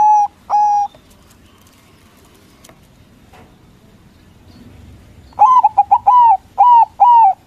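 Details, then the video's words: White local zebra dove singing loudly as a lure to provoke rival doves to answer. Two short level coos, a long quiet gap, then a rapid run of six rising-and-falling coo notes closing the clip. "Perkutut Putih Gacor Suara BESAR bikin Cepat Emosi Lawan Auto Nyaut Seketika"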